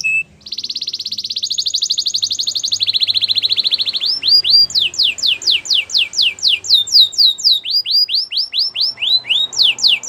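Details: Song of a canary meant to coach other canaries to sing, opening with a long buzzy rolled trill that steps down in pitch, followed by rapid repeated downward-sweeping whistled notes.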